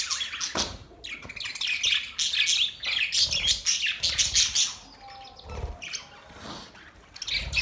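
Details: Budgerigars, recorded 9 November 2023, chatter in a busy stream of squawks, warbles and scratchy chirps.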